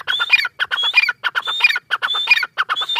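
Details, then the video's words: Calling female grey francolin (teetar) with fast, rhythmic phrases. Each phrase mixes a thin whistled note with scratchy, squawking bursts and repeats roughly every half second. No other sounds intrude. "gray francolin teetar sound | Female teetar awaz"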